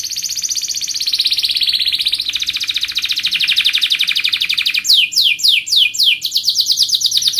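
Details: Canary song for singing-contest training: a long rapid trill gently rising and falling in pitch, then a burst of quick descending whistled sweeps and a faster closing series.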